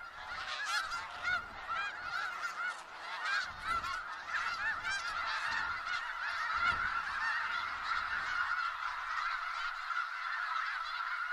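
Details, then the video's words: A large flock of snow geese in Skagit Valley fills the air with a constant, overlapping chorus of high, nasal honks and yelps, with no pause throughout. "Sounds of Snow Geese"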